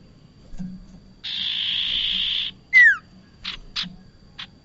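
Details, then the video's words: Bar-winged prinia call played as trapping bait: a steady rasping buzz lasting over a second, then one loud descending whistle and a few brief buzzy ticks. "SUARA UNTUK PIKAT BURUNG PRENJAK"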